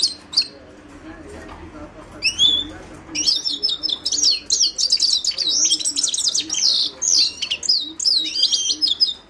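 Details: Himalayan goldfinch song opening with a few sparse chirps, then breaking into a dense, continuous stream of high tinkling twitters and buzzy trills.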